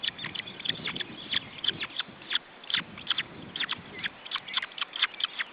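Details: Chicks of the osprey calling at their Estonian nest during feeding, June 2012: insistent run of shrill, short whistled peeps, evenly spaced, with a low crackling rustle underneath.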